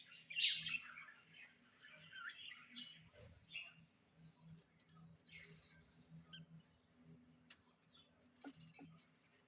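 A parrot gives harsh, high chirps and squawks in irregular bursts.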